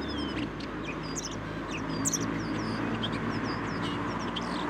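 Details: Common starling (Sturnus vulgaris) singing in a city, trying to outshout the urban noise: a rapid jumble of high whistles, clicks and slurred sweeps over a steady roar of low traffic.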